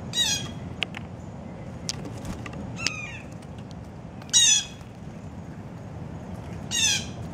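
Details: A grackle among blue jays at a breakfast feeding frenzy gives three harsh, rasping squawks two to three seconds apart, with softer chips and clicks between them over a steady outdoor hum.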